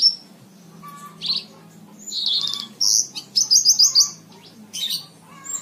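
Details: Caged lark singing for training other cage birds; bursts of high varied chirps, buzzy trills and rapid pulsed notes with pauses between, over a low steady hum.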